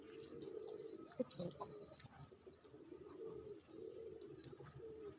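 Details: Domestic Bangladeshi racing pigeons cooing at their loft: low rolling coos repeat throughout, swelling every second or so, while thin high chirps from other birds and an occasional sharp knock sound in the background.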